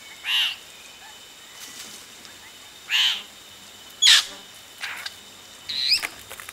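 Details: Yellow-rumped cacique chicks at the nest, recorded close as adults come in: four separate harsh, noisy squawks spaced roughly a second or more apart, with quiet background between them.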